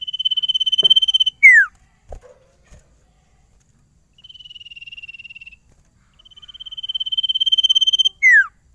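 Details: Sirtu in energetic song, said to sing straight away without stalling: long rapid trills of high pulsed notes ending in steep falling whistles, a softer lower trill between, with a few faint clicks.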